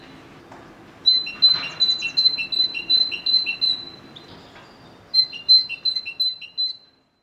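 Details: Great Tit singing its repeated two-note phrase, a high clear note alternating with a lower one, about ten times in a first run, then a pause and a second run of about six pairs.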